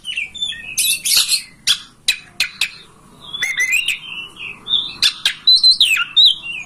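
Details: Oriental magpie-robin song used as a tutor recording to make a kacer open its tail and sing; varied clear whistled phrases, some rising and falling, broken by sharp clicks and harsh buzzy bursts in a rapid, lively run.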